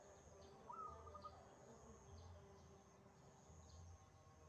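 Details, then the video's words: Brief song of a wild zebra dove: a rising note then a fast series of soft rolling coos, followed by low humming background sounds and a continuous thin high whine. "PERKUTUT LIAR GACOR"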